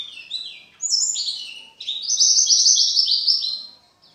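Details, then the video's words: Oriental white-eye singing a complete contest song: bright, high twittering begins, then a dense, sustained trill of rapid chirps rolls on for over a second, ending in a faint short note. "Burung pleci gacoor full materi"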